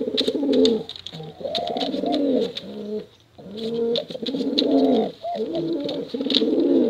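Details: ['Male and female contest pigeons coo in full, throaty, undulating runs, dropping briefly to near silence about halfway through before resuming strongly, with sharp clicks scattered throughout.']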